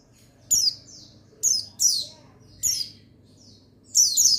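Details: Male buxtoni white-eye, the pleci of Indonesian songbird keepers, recorded 8/8/21 as a lure to rouse lazy birds into singing; four bursts of sharp, high, downward-sweeping chirps separated by brief quiet gaps over a faint low hum.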